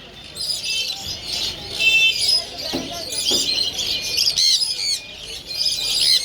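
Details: Sun conures chatter in a dense, overlapping stream of harsh, high-pitched squawks and whistles.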